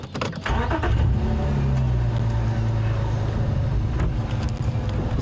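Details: A vehicle engine revs and runs with a deep droning rumble, along with a few clunks and faint voices; no animal call.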